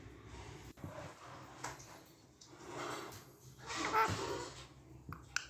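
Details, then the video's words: Two pet parakeets talk in Hindi, imitating human speech in short, raspy, breathy bursts with a few squeaky, word-like notes, in a quiet room. "mittu babu and mittudi talking clear in hindi"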